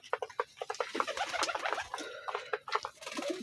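Pigeons give soft, repeated calls with short bursts of noise in a small enclosed space.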